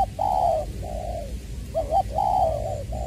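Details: Spotted dove decoy, Long Đức in Trà Vinh, 2021, 'giọng tiểu' voice: smooth, even coos of about half a second each, one beginning with a wavering double note, delivered close and clear.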